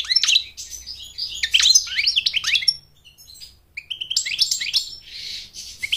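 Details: American goldfinch song meant for courting a mate and training chicks to sing: a fast run of high, sweeping, twittering notes, a short pause near three seconds, then more bright chirps and a soft buzzy note.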